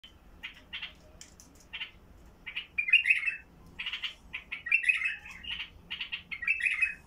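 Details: White-eared Bulbul of the Basra type with a heavy, deep voice singing short, bubbly, chattering phrases, several per second at times, fairly high and rich, with pauses between bursts over a faint low rumble; used to open up other bulbuls.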